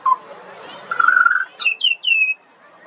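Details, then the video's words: Juvenile pied butcherbird, an Australian songbird, singing: a short low whistle, then a sustained mid-pitched fluted note, followed by three clear downslurred whistles sliding from high to lower pitch. "Butcherbird. Bird Singing. Bird Call and Sounds"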